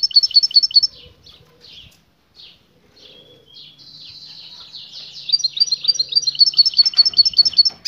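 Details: European goldfinch female calling to get the male to mate as he begins singing: fast repeated twittering trills, scattered single chirps, a drawn buzzy note, then more rhythmic tinkling twitter.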